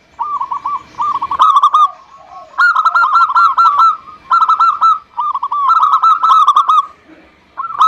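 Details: Zebra dove, local perkutut, used to prompt lazy doves into singing; phrases of quick, clipped hooting coos in rapid runs, several bursts with short gaps, clean background.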